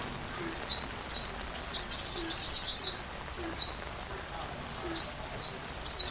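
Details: Sunbird song as master material for a white-rumped shama: sharp, very high notes sliding downward, some in quick pairs, broken by a short buzzy twittering run, spaced irregularly over several seconds.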